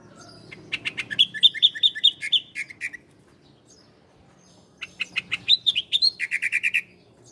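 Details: Ciblek Koya, the bar-winged prinia, recorded as a master for cage-bird training: two bursts of rapid ringing chirps separated by a pause, the second ending in a quick buzzy trill.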